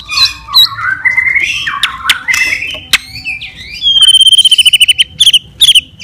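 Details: White-rumped shama in full fighting song, meant to stir up other shamas: a varied run of clear whistles and rising slurred notes, then a rapid, evenly pulsed trill of sharp high notes that breaks into short bursts.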